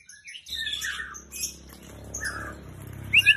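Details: Oriental magpie-robin (long-tailed magpie robin) chirping in quick, varied high notes, some whistled, some scratchy, with a few rapid rising chips at the end over a low steady hum.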